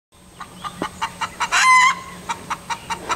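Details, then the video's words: Hen that has just laid an egg in a boat, calling with short clucks spaced about a quarter second apart, broken by one louder, drawn-out cackle near the middle, over a steady low background hum. "Crowing Hen"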